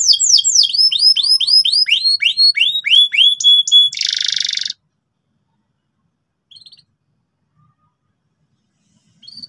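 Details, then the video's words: Gacor canary singing loudly to help young canaries learn ngeriwik: quick series of falling whistled notes for about four seconds, a short harsh buzz, then near silence with two brief chirps. "suara kenari gacor ngotot keras biar kenari paud cepat belajar bunyi ngeriwik"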